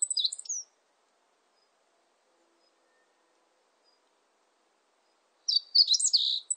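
A meadow bunting gives two quick bursts of high, sharp, twittering notes, the first cut short, with a few seconds of silence between them.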